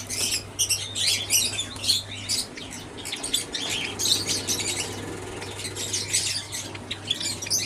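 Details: Java sparrows kept in an aviary: dense, overlapping high-pitched chirps and twittering in quick bursts, several birds at once, with a low steady electrical hum beneath.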